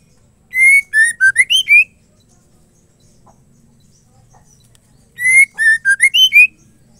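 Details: Female white-rumped shama singing to provoke males into song: a short whistled phrase of level and falling notes, ending in quick rising slurs, repeated twice about four seconds apart in a quiet background.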